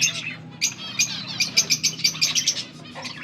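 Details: Budgerigars kept as pets, recorded August 14, 2024, give a quick series of about ten bright, evenly spaced chirps after a short warble, over a faint hum.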